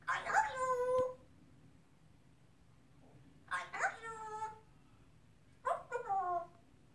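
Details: Pet male African grey parrot, three and a half years old, indoors, mimicking human speech; he has learned to say "I love you". Three short, harmonic, voice-like phrases about a second each, separated by quiet pauses in a small room.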